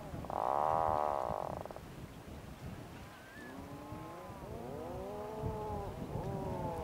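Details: Atlantic puffin at Borgarfjörður Eystri, Iceland, gives a loud, rasping burst, then a run of low, groaning calls that rise and fall, over steady background rumble.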